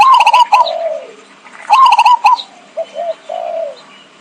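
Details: Trapping lure of a zebra dove: two quick rolling, tremulous coo phrases, each trailing into a lower fading note, then soft single coos.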